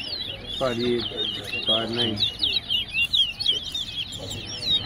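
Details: A caged large-billed seed-finch (towa towa) at a whistling competition at Tuschen bird ground, Guyana, sings a fast, continuous run of bright warbled whistles while a man speaks twice briefly; Large-billed Seed-Finch.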